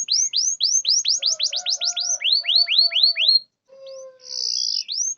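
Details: A canary song played to trigger singing in silent canaries: fast repeated upward-curving whistled notes, a brief gap, then a buzzy note and another curved whistle, with a faint low hum beneath.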